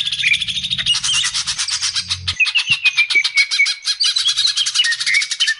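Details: Bulbuls chatter densely with bright, bubbly phrases and quick repeated chirps, several voices overlapping, a lure call meant to set caged bulbuls singing; a low hum sounds briefly at the start.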